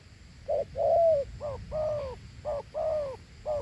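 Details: Two-note cooing from a big Thổ Hú spotted dove, each pair a brief clipped note followed by a drawn-out falling coo, about three pairs in under four seconds, clear and dominant.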